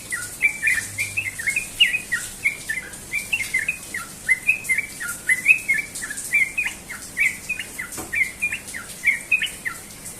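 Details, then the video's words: Sooty-headed bulbul singing in the morning, a rapid, continuous run of short bubbly whistled notes around mid pitch, repeated several times a second throughout with slight rises and falls, over a faint background hiss. "burung trucukan ropel pagi"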